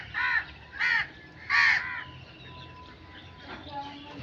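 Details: Three loud, rasping crow caws, evenly spaced about half a second apart, followed by quieter distant calls and a faint thin tone.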